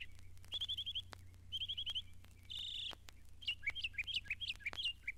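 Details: Northern Mockingbird, Florida's state bird, singing at Mountain Lake Sanctuary on Iron Mountain, Lake Wales, Florida: high, quick phrases of rapid trilled notes repeated in sets, a harsh buzzy rasp, then varied chirps over steady low hum and faint clicks.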